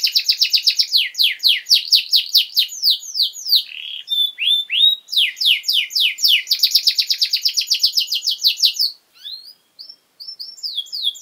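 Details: Pet canary in full song as a master recording for teaching young birds: long runs of quick descending sweeps, a few brief whistles, dense rolling trills, then sparse scattered notes near the end.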